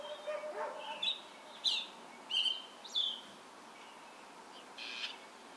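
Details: Thrush singing at Ancud, Chiloé, on 12 December 2016: a few separate clear whistled phrases, some sharply rising or falling, spaced about a second apart, with a faint hiss of background noise.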